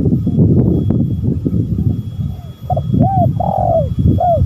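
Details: Lure calling of spotted doves, male and female. Loud low rumbling noise fills the first half, then a clear cooing phrase of arched notes and a long sliding coo follows.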